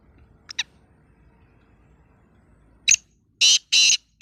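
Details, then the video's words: Black francolin, kept for sale and described as a speeder 'chakri wala' bird: two faint short notes, a pause, then four loud harsh grating bursts in quick succession near the end. "Speeder Kala Teetar | Chakri Wala Teetar"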